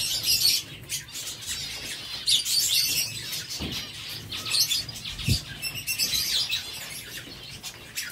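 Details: Several zebra finches at their seed feed, calling in clustered bursts of sharp, nasal, high beeps separated by short pauses, with two soft knocks in the background.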